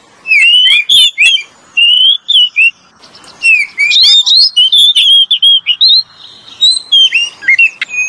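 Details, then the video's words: Oriental magpie-robin lure song from a male and female: short whistled phrases with scratchy chips, repeated in groups, then a longer continuous warbling passage of sweet, rising and falling whistles. "SUARA BURUNG KACER PIKAT PALING JOS SUARA JANTAN DAN BETINA"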